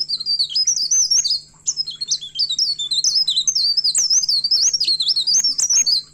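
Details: Singing hard while seeking a rival, a myna delivers dense, rapid twittering whistles that bend up and down, pausing briefly once and then carrying on continuously to the end.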